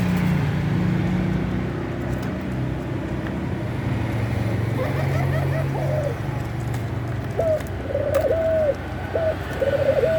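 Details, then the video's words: Eurasian collared dove (puter pelung), said to be calling a lot and wanting to mate; after six seconds of low rumbling background noise, a few short clipped coos repeat in the second half. "suara burung puter pelung gacor mau kawin"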